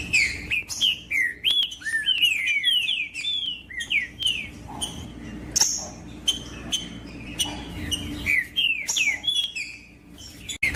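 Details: Trinca-ferro, the green-winged saltator, in song meant to warm up other birds: a fast series of bright whistled slurs, rising and falling, delivered in quick bursts with short pauses and some sharp chirps.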